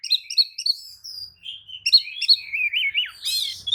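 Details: Oriental magpie-robin lure song, sung with tail open to draw replies from other kacer: rapid chipping notes, a drawn whistle, then wavering warbles rising into a loud harsh rattling burst.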